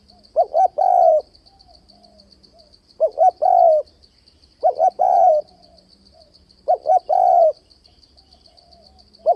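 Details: Spotted dove calling continuously for trap luring: four phrases about two seconds apart, each two short rising hoots followed by a longer falling coo, against a steady pulsed high-pitched buzz.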